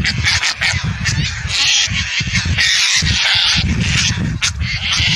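Indian skimmers give harsh, nasal yapping calls in quick overlapping bursts, many birds at once, over a steady low rumble of wind.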